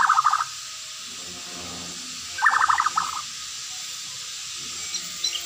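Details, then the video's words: White-rumped shama, a cage bird kept in Indonesia, giving two short bursts of rapid, chattering mid-pitched notes, separated by a pause of about two seconds, over steady background hiss. "suara merdu MURAI ini"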